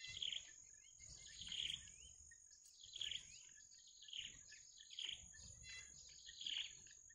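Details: Nestling birds waiting for their mother to return with food, possibly bitterns, give bursts of high, scratchy begging calls about every second, over a steady high insect whine.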